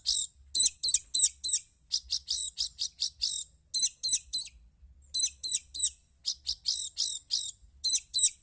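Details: Long-tailed shrike, known as pentet or cendet, giving fast series of high, sharp chirped notes, about three per second in grouped runs separated by short pauses, clear and loud with almost no background.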